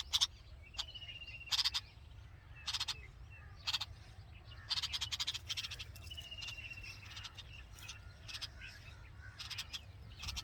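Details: Red-vented bulbul nest with hungry babies and the mother present; scattered harsh rasping chirps come singly and in tight groups, mixed with brief level whistled notes, over a steady low rumble.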